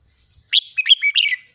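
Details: Red-whiskered bulbul kept in a cage and stirred up to sing 'ché': one brief phrase of rapid slurred whistles, rising and falling, then silence.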